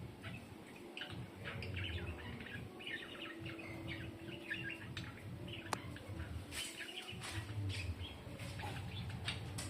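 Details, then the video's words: A flock of farmed dun fallow lovebirds giving dense, scratchy chirping and twittering, with one sharp click partway through and a constant low hum underneath. "Beautiful Lovebird"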